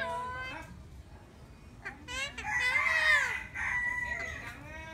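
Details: Eclectus parrot giving short arched harmonic calls, then a long harsh raspy screech lasting about two seconds, followed by a softer grating call.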